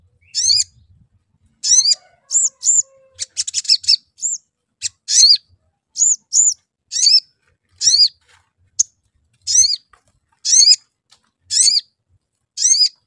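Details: Sooty-headed bulbul (Pycnonotus aurigaster), call: lure to prompt the bird to sing.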